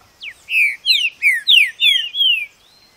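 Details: Green-winged saltator (trinca-ferro) delivering one loud song phrase: a brisk series of six or seven bright, downward-slurred whistles in rapid succession, clear and strong against a quiet background.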